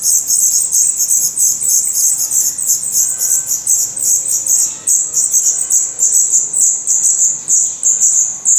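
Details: Black redstart nestlings in a nest in Portugal, eyes newly open and growing their adult feathers, beg in a thin, high, hissing chorus of rapid squeaks that pulses on and off without pause.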